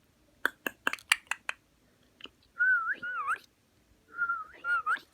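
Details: Parrot at play during peek-a-boo: a rapid series of sharp clicks, then two warbling whistled phrases that wobble up and down, separated by a short pause.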